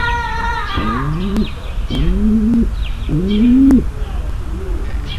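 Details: A female pigeon coos to prepare a male for mating: three deep rising coos after a brief higher harmonic sound at the start, with light chirping in the background.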